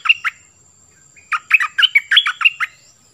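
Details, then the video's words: Nok dok taeng bird singing 'pleng berm' style song, used to teach young birds. Two opening whistles, a short pause, then a quick run of about eight clear, warbled notes. "เสียงนกดอกแตงEp.5 Birds sounds เพลงเบิ้ล เปิดให้ลูกนก-ลูกเสอร้องตาม"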